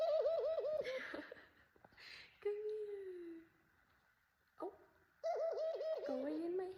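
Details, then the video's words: A pet female ringneck (Barbary) dove, exploring a possible nest spot, gives soft, rolling coos in short wavering bursts, with a low, drawn-out note between them, while a woman talks and laughs close by. "my pet ringneck dove cooing!"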